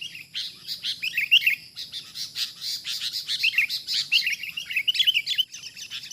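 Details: Wild sooty-headed bulbul during bird trapping, reacting to a decoy bird: dense, overlapping chirps and bubbly notes, steady, nearly continuous for about six seconds, with no other clear sounds.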